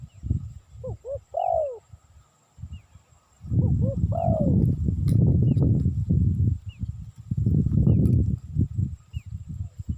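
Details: Cooing spotted dove, recorded as a luring sound. Two phrases early on each hold two short notes and a longer, bending coo. Deep rumbling noise dominates the later seconds.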